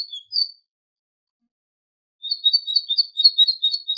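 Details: A tit singing for goldfinches to learn from: a short whistled opening, a gap, then a rapid, slightly wavering trill of high notes lasting nearly two seconds.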